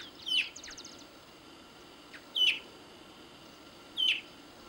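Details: Andean tinamou (Nothoprocta pentlandii) in Tucumán, Argentina, giving a short, high, slurred whistled call repeated about every two seconds, with a quick ticking series after the first note.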